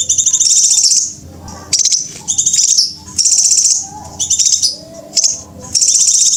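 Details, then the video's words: Lure recording of scarlet minivet calls for drawing in wild birds: long runs of shrill, fast-pulsed high notes, each ending in a brief downward slur, repeated almost without break over a low background hum. "Rahasia cara mikat burung sepah raja,ya dengan mp3 jitu ini"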